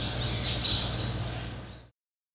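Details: A pair of Black Drongos perched on white temple spires in Rajasthan, India, using them as perches to sally out for flying insects; one gives a harsh, scratchy squawk that swells twice quickly then fades, over a low steady hum.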